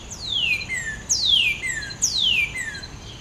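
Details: A red bird gives three clear, steeply falling whistles, each sliding from very high to mid pitch, spaced about a second apart. Nothing else is heard.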